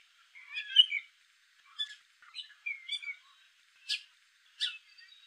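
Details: Gray catbird, male, giving scattered short phrases with gaps between them: a warbled squeaky opening, a falling slurred whistle, then two sharp scratchy notes near the end; a quiet outdoor setting otherwise.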